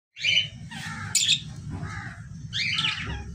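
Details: Parrots giving harsh, raspy squawks, a few short bursts rising and falling over about three seconds, with a low rumbling hum underneath.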